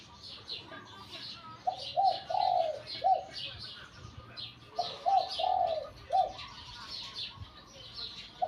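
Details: Spotted dove being trained at home for competition, Thailand; low cooing phrases of three to four notes, the middle one drawn out, given twice about three seconds apart, over busy chirping of other small birds.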